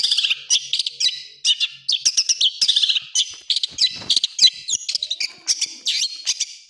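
Long-tailed shrike pouring out a fast, scratchy medley of high chirps, trills and harsh bursts, phrases tumbling one after another with barely a pause.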